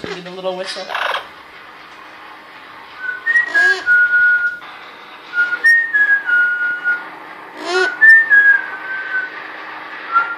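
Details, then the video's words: Pet parrot, a female, whistling indoors in Quebec, Canada, in her first whistling attempts. Short pure whistles, each rising then settling into a level tone, are repeated about three times. A human voice and soft background music are heard between them. "First time Kiwi whistles caught on video!"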